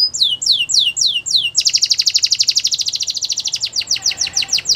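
A Belgian canary sings bright, high tours: a run of quick falling whistles, then a fast rolling trill, then more swooping whistled notes.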